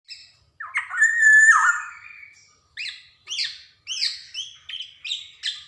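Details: Black-naped oriole, a Javan bird singing energetically with varied phrasing, used as a lure and tutor recording for untrained birds: a rich slurred whistle, then a run of short nasal, harsh notes repeated in quick bursts.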